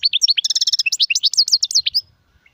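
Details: European goldfinch song: a fast run of bright, liquid twittering notes, rapid trills and rising and falling chirps for about two seconds, ending abruptly.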